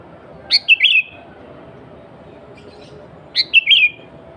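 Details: Sooty-headed bulbul singing in its natural voice, without fill-ins, to call in wild birds and rivals: a three-note whistled phrase, repeated after nearly three seconds, each time ending in a rolling descending note.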